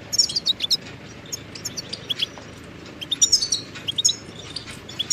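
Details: Goldfinch twittering song for teaching chicks and songbirds; sparse high chirps at first, building into denser bright trilled phrases toward the end, over soft background hiss.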